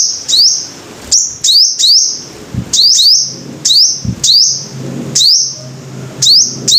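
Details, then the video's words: Five-coloured sunbird giving piercing high phrases, each a quick upward slur then a level sustained whistle, coming irregularly about once a second; soft low rumble and faint knocks in the background. "Tiếng chim hút mật 5 màu"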